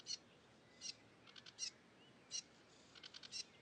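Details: A cigrok in the wild sings loudly, giving spaced, very high, clipped chirps and short stuttering trills at uneven intervals against a quiet, hissing outdoor background.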